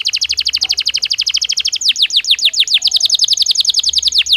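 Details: Belgian canary in natural song, offered as daily training stimulus: a very fast trill of short notes shifts into a slower series of sweeping, falling whistles, a faint low hum beneath.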